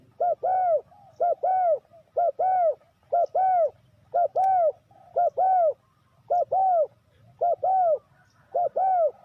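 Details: Spotted dove call used as a lure for trapping wild doves: mellow, hollow cooing notes in close pairs, each note arching up then down, repeated about once a second for nine seconds over a faint low hum.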